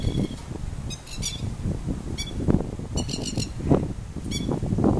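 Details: Masked lapwing (Vanellus miles) in a yard in Queensland, Australia: sharp, harsh 'kek' notes in quick bursts of two to four, over a heavy low rumble of wind.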